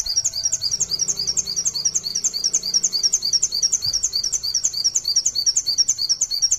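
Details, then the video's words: Indonesian white-eye (pleci) delivering the long 'nembak sejaluran' song, meant as a tutor recording for other white-eyes: a fast, unbroken stream of high, sharp repeated notes, about three per second, steady throughout. "pleci nembak sejaluran panjang|pleci males bunyi akan nyaut dengar suara pleci ini"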